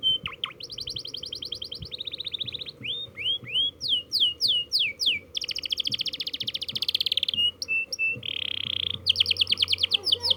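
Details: Canary learning to roll, singing a varied sequence: fast high trills, sweeping up-slurred whistles, a long buzzy rolling trill, a steady whistled tone and sharp repeated chips, over constant low hiss.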